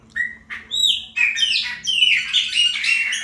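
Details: Chopi blackbird of the 'preta fumaça' type singing to mark its territory: a loud run of clear whistles and rich, slurred notes that rise and fall in quick, overlapping phrases for about three seconds.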